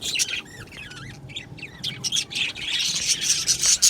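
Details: Budgerigars in an aviary colony: several clear, wavering warbled notes sliding up and down, then a rising mass of busy high chattering from many birds at once.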